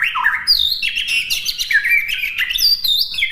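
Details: Dense, unbroken White-rumped shama song recorded for birds to mimic: a quick jumble of high, squeaky, twisting notes and chirps.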